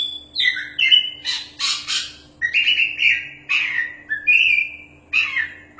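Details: Oriental magpie-robin, a champion singer in full voice, used as a tutor song: sweet whistles mixed with loud harsh rasps, evenly spaced phrases about every half second, with some longer sustained whistled notes; low hum and rumble behind.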